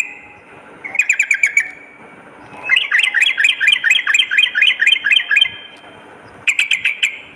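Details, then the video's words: Singing sooty-headed bulbul used as a lure and tutor sound, morning and night: a short chirp burst, then a long series of fast, harsh-edged warbling notes, and a final quick flurry. "suara pikat dan masteran burung trucuk gacor pagi dan malam"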